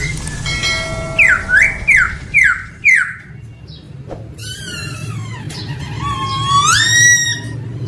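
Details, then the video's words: Male laughingthrush singing: four loud slurred whistles dipping then rising, about three per second, followed by bright harmonic upsweeping notes with a low steady hum underneath. "Noog sab hw quaj zoo heev 2021 ( Khướu trống hót hay nhất )"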